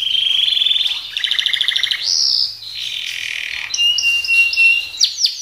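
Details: Canary, described as a lively singer, delivering rolled buzzy trills at two pitches, a slurred rising note, a steady warbled tone and a few sharp descending notes at the close.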